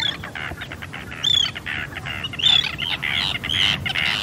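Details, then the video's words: Arctic tern (Sterna paradisaea) in a field recording: harsh, grating high calls in quick irregular bursts, some with a thin descending whistled edge, roughly one call per second, over steady background noise. "Do you know the sound of an Arctic Tern ?"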